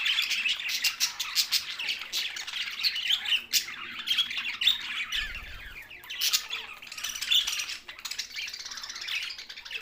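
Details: Flock of budgies, Australian parrots, giving steady, dense warbling chatter mixed with sharp squeaks and clicks, and a brief low flutter partway through.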